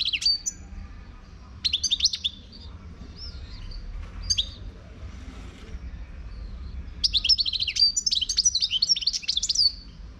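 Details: Wild Moroccan European goldfinch singing: short bursts of high, tinkling twitters, then a long, dense run of rapid liquid chirps and trills in the final three seconds, over a low steady background hum.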